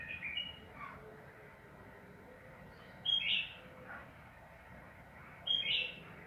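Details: Sooty-headed bulbul in energetic 'ropel panjang' long song style, used as a lure to make other bulbuls sing: short, bright, bubbly whistled phrases, one faint at the start and two louder ones spaced about two and a half seconds apart, over steady low hum.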